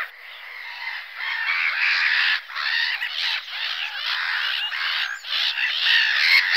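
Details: Black-headed gull (Larus ridibundus) calls in a dense, harsh, continuous chorus of grating cries that overlap with almost no breaks, as if from many birds together.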